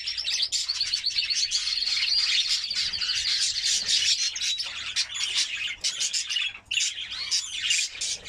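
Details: Training song of a white canary used to excite hens for breeding, a dense unbroken stream of high chattering trills and rolling notes with barely any pause.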